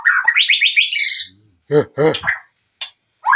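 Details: White-rumped shama from Medan singing: a fast run of rising whistled notes stepping upward, then harsh buzzy broadband bursts and a short clicking note; a constant faint high tone runs underneath.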